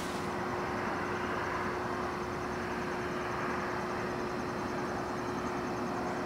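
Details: Broad, even roar of passing traffic or machinery with a faint steady tone and no animal sounds.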